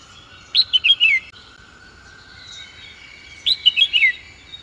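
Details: Red-whiskered bulbul repeating the same short bubbly phrase twice, about three seconds apart: quick rising and falling whistled notes ending in a downslurred flourish, with a constant thin background whine.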